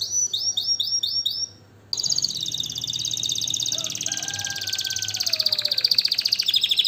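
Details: Canary giving a short run of repeated notes, a brief pause, then a long fast buzzy trill of high notes growing louder; faint lower tones mixed in.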